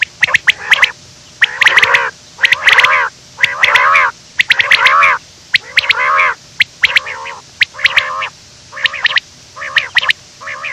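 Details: A quail, recorded in the morning as a trapping lure call, gives harsh, nasal, buzzy squawks in half-second bursts, about one a second, with sharp clicking knocks in between.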